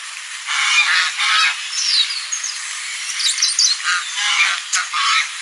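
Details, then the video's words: On a lagoon a goose honks loudly in broad, rasping bursts, several in quick succession, joined by faint high whistled notes from other birds. "Som de Ganso – Ganso fazendo Barulho na Lagoa"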